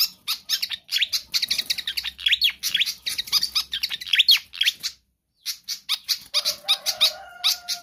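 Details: Energetic pied fantail song meant as a lure for training other birds: fast, continuous high twittering chirps for about five seconds, a short silence, then more chirps over a faint steady whistle.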